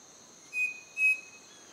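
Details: Striped cuckoo near Manizales, Colombia, giving two clear, pure whistled notes about half a second apart, the second a touch higher, over a steady high insect drone.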